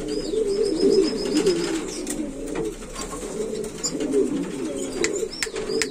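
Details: Murmured coos from buchón valenciano antiguo pigeons swell and fade in waves, alongside a short series of faint high notes and occasional clicks.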